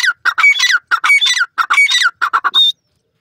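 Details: Grey francolins in a forest calling: loud, harsh, ringing phrases of rising notes repeated in quick series, each phrase about half a second, ending with a few rapid shorter notes and one thin high note.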